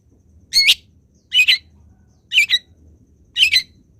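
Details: Long-tailed shrike song used as a tutor recording for training other shrikes to sing: four short, sharp chirpy bursts with squeaky twisting notes, about one each second, over a faint low hum.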